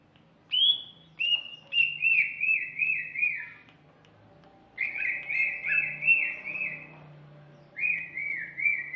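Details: Whistled phrases from a female greater green leafbird, each a chain of clear, slightly descending notes lasting several seconds, separated by short pauses; three phrases heard over a quiet low background hum.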